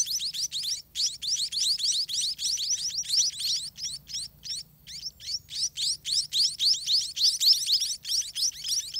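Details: Hungry scaly-breasted munia chicks in a dirty nest being fed by parents all day: dense, rapid high chirps, each note rising steeply, pouring out in continuous bursts of about four per second with brief pauses.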